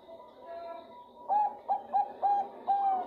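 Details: Female zebra dove of the Bangkok type calling to the male: a faint steady tone first, then five short clear cooing notes at a medium pitch, about half a second apart, each slightly arched.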